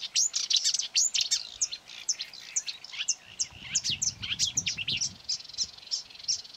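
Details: Marsh warbler singing on 9 May 2020 near quarry workings, lured by playback of its own voice and trying to outsing a hanging mobile phone: a fast, varied jumble of high chirps, trills and sharp notes, with low rumbling noise in the second half.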